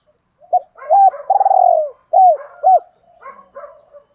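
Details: Training coos of the spotted dove (cu gáy), male and female: short arched notes around a long, vibrating coo that sags at its close, then two clear hooked coos and softer trailing murmurs.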